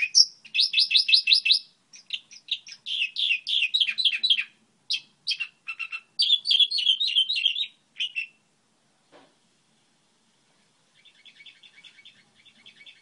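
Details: Goldfinch hybrid delivering a long model song of rapid rattling trills and buzzy twitters in bursts, a pause, then a faint thin repeated trill near the end.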